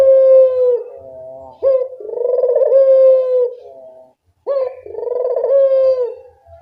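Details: Barbary dove calling steadily, a recording meant to prompt reluctant doves to sing: repeated low rolling coos, each starting with a short abrupt note, trailing into a softer hum before a short silence.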